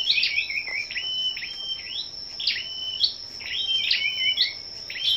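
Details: Scarlet-backed flowerpeckers gathered for competitive morning singing on 10/05: sharp, high chipping notes with short level whistles, bursting in clusters about once a second over a steady high-pitched whine.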